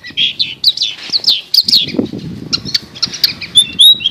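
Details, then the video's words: Long-tailed shrike chirping and warbling: varied slurred high notes and sharp chips in quick succession, with a brief low fluttering noise mid-phrase and rising thin whistles at the end. "MASTER BIRD CHIRPING THE LONG TAILED SHRIKE"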